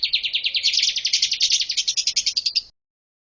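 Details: A Bar-winged prinia sings a master song for birds to learn: one continuous rapid trill of bright, buzzy chirps lasting nearly three seconds, then it stops abruptly.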